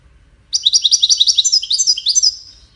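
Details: Goldfinch song for courtship and communication: a sudden start into a lively stream of high, tinkling, slightly buzzy twitters, repeated quickly for about two seconds before tapering off.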